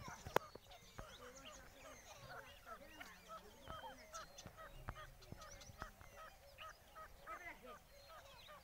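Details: Captive grey francolin in a fierce fight with three wild grey francolins, giving rapid runs of short, ringing, repeated notes in uneven bursts, with sharp clicks and thumps and steady low background noise.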